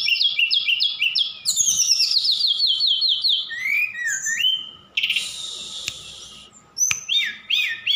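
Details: A Horsfield's bush lark from Sukabumi sings a fast, varied medley of high chirps, repeated two-note phrases, rising whistles and a buzzy rattle, with quick shifts between motifs and imitations of other birds mixed in.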